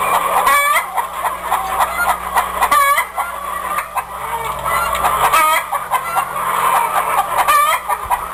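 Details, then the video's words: Several chickens call together: repeated harsh, nasal, mid-pitched cackles and squawks come in bursts every one to two seconds over constant clucking from the flock. "Tiếng gà gáy"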